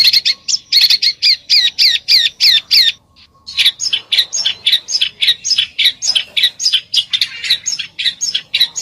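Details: Bird singing in the besetan style: rapid, sharp, buzzy notes repeated about three to four per second, a brief pause near three seconds, then a fast stream of scratchy chattering phrases.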